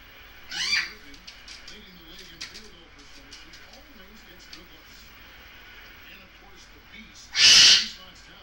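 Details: Goffin's cockatoo kept as a pet, playing: a short rasping cry early on, then a very loud, harsh screech near the end, with faint human voices in between.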